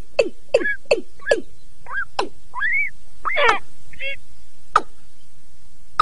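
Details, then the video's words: Rail pair, male and female, calling at once from a lure loudspeaker, recorded 2022; a run of hard ticking knocks, then upward-curving whistles and a brief harsh burst, with spaced clicks continuing afterward. "Tiếng Gà Nước TRỐNG, MÁI đánh chung loa"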